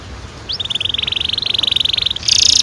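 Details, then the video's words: Canary singing a long roll, used as a training lure for young birds: a rapid, even trill of ticking notes at one pitch for about two seconds, ending in a louder, higher buzzy burst. "Kenari gacor NGEROL PANJANG cocok untuk PANCINGAN KENARI PAUD"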